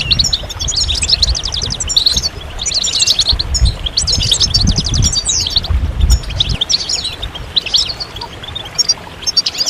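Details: European goldfinches chirping together, mating and readiness calls to stimulate males into song. Fast twittering phrases arrive in bursts with short pauses, over a low rumble that fades out partway through.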